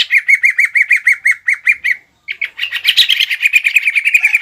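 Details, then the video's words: Green leafbird in full fighting song, its fill including mimicry of sparrow, bar-winged prinia and kapas tembak, meant to provoke a rival: a rapid, even run of about fourteen bright clipped chirps, a brief pause, then denser, varied chattering notes. "CUCAK IJO GACOR FULL BONGKAR ISIAN AGAR CUCAK IJO LAWAN EMOSI DAN MAU JAMTROK"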